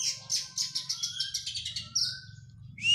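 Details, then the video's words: Oriental magpie-robin after moulting, in training, rattling off a rapid series of sharp, high chipping notes, then a short buzzy note and a rising whistle, over a steady low hum. "KACER PRO HYPER LATIHAN FISIK PASKA MABUNG.!!!"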